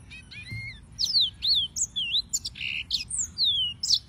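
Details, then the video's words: A yellow-fronted canary sings a varied, lilting phrase of drawn-out whistled slurs, rising and falling, interspersed with short buzzy notes and sharp chips. "Suara Burung - (Serinus Mozambicus) White-tipped Green Singers Singing"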